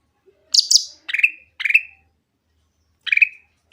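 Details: Grey-cheeked bulbul song used to provoke silent birds: a pair of high chattered notes, two falling whistled phrases, a pause, then one more whistle.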